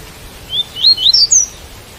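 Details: White-collared seedeater song with rain sound: a brief ascending series of five clear upslurred whistles with short gaps between them, heard over a soft, continuous background hiss.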